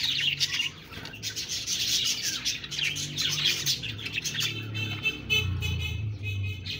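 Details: Budgies chirping and warbling in a busy high chatter, joined in the second half by steady low tonal humming and clear buzzy trilled notes.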